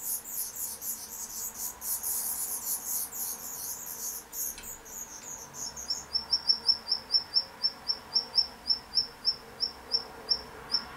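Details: Black redstart feeding chicks: a thin, very high hissing chorus of begging for several seconds, then a series of sharp high ticks repeated about every third of a second.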